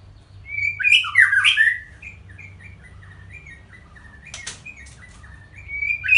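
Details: White-rumped shama delivering a short loud jumble of whistles and harsh notes, followed by soft repeated whistled notes, a sharp click-like burst, and another rising whistle at the end over low background rumble.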